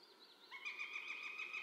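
Northern goshawk giving a harsh, nasal call that runs on at a steady pitch for over a second. A faint, higher wavering note comes just before it.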